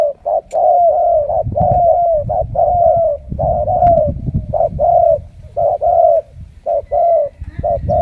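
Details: Caged Spotted Dove used as a decoy, its voice called đồng siêu gù and said to carry drawn-out and spaced notes, coos almost continuously in low hollow short-long pairs.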